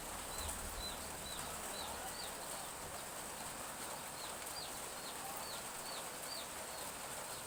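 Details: Chicks in a village yard behind a house on a morning of light drizzle: thin, high peeps, each a short arching note, repeated quickly and steadily over a soft constant hiss of rain.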